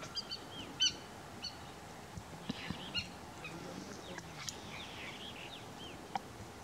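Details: River lapwing in Kuno National Park in April 2022 giving a few sharp, metallic notes at irregular intervals, set against a busy background of twittering songbirds.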